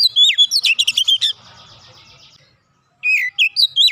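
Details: Kacer (Oriental magpie-robin) in tight 'nembak rapat' song for bringing young birds into voice: a burst of quick clicking and whistled notes, a soft rattling lull, then fresh swooping whistles.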